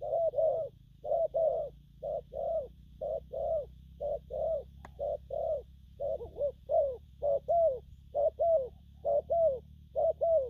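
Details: A young spotted dove coos in the gù phóng and gù lăn styles, a long regular run of low mellow double notes roughly every second over a quiet hum, with one brief click.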